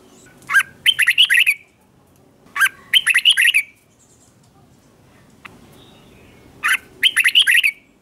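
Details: Red-whiskered bulbul singing in the morning during song training: three short bursts of rich, varied warbled and chirping notes about two seconds apart, separated by quiet pauses.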